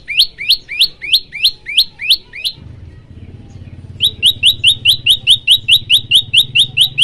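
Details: Olive-backed tailorbird singing, used as a training recording to set other birds singing: a series of sharp high rising chips about eight times, a pause over low hum, then a faster even run of similar notes.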